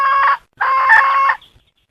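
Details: Chicken calling in two loud, harmonic bursts, a short one followed by a longer, steady, slightly strained phrase about three-quarters of a second long, then silence.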